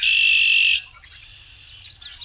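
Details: A male Red-winged Blackbird's conk-la-ree ends in a loud, high, buzzy trill held for under a second, followed by faint distant chirps and geese over a low rumble, in a wetland habitat.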